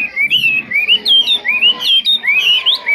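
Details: Caged Chinese hwamei of the 'mộc chuyền' type, said to sing very well without faults; clear whistled phrases, rising and sliding upward, repeated in quick succession about three times a second.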